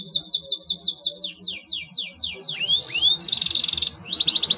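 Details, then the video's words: Canary singing in gacor style to stir other canaries into song: rapid chopped trill notes, swooping whistled glides, then dense buzzy rolls, over a low rumbling background. "KENARI MANAPUN AKAN TERANGSANG & IKUT BUNYI DG CUITAN KENARI GACOR YANG INI"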